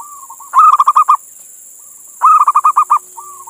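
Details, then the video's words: Indonesian local male zebra dove calling a female. Soft introductory coos, then two loud rolling phrases of six or seven rapid pulses about every two seconds, with quiet coos between and constant high hiss. "Suara Perkutut Jantan Memanggil Betina"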